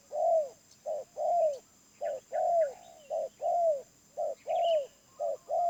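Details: Wild spotted dove with a medium-pitched voice cooing steadily: short coo then longer down-curving coo in repeated pairs, about one per second, with faint small-bird chirps in the background.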